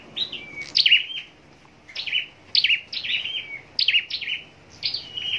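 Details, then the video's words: Caged scarlet-backed flowerpecker kept for singing contests in Long Thành, southern Vietnam: high, thin twittering phrases of sharp descending notes and short level whistles, in bursts separated by brief pauses. "Chim Sâu Đầu Đỏ Hót Đấu"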